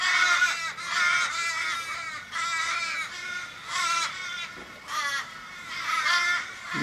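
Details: Australian ravens, fifteen or more, circling an injured flock member in a Kellyville street, Sydney, on 1 July 2012, calling in distress. Harsh, nasal, drawn-out wails with falling ends follow one another in overlapping bursts about every second.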